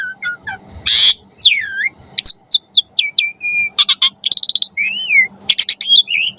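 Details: Richly varied Asian pied starling song meant for training caged starlings to sing: falling and curving whistles, a harsh rasping burst, a flat whistled note, a quick rattling trill and scratchy chatter, with a soft steady low hum behind.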